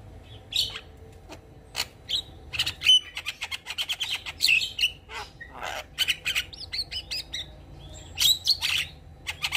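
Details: Javan myna (Acridotheres javanicus), a captive bird, sings a busy, chattering song of harsh squawks, clicks and bright whistled notes in quick, uneven bursts.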